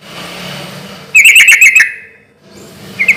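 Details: A single loud burst of quick liquid, bubbly notes from a sooty-headed bulbul, whose relaxed-rhythm song serves as a lure to make other bulbuls answer; a short fragment follows near the end over low background hum.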